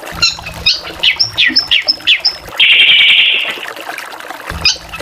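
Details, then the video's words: Drongo in vigorous varied song: a run of sharp downslurred whistles, each about a quarter-second apart, then a long harsh rasping buzz, followed by another whistle; faint low hum underneath. "SRIGUNTING VARIASI GACORAN"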